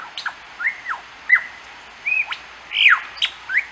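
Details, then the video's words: A lyrebird on the Fitzroy Falls walk, Morton National Park, NSW, on 25 April 2010 sings loud, varied notes: clear whistled sweeps, sharp downslurred cracks and rising phrases, about one to two a second, each different. "Lyrebird Singing"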